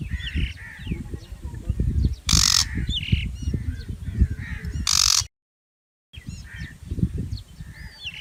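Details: Shrike uttering two separated harsh, scratchy shrieks. Softer chirping and whistling birds call around them over a deep background rumble, broken by a brief silent gap.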